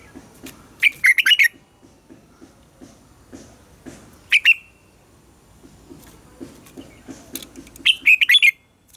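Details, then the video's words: Morning song of a red-whiskered bulbul used to train captive birds, three phrases of bright warbled notes, the middle one shorter, amid soft tapping and clicking sounds. "Luyện giọng cho chào mào hót sáng - ép chào mào hót âm kép già rừng hay tuyệt!"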